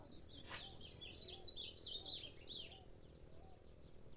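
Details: Saffron finch chirping a quick, jumbled run of high notes in a noisy setting, with a steady low rumble and a faint lower tone recurring beneath the song.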